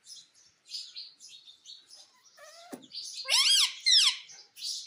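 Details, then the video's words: Pet talking parrot giving scratchy chatter and a brief click, then loud screeches that sweep upward, repeated twice; indoors. "Mummy Bolta Tota _ Parrot Speaking mummy mummy _ Talking Parrot"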